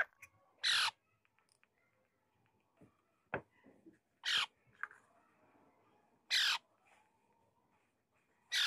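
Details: Pet talking Alexandrine parakeet kept at home, giving four loud, harsh, raspy screeches spaced about two seconds apart, each short and explosive, with near silence and faint soft clicks and household noises between them.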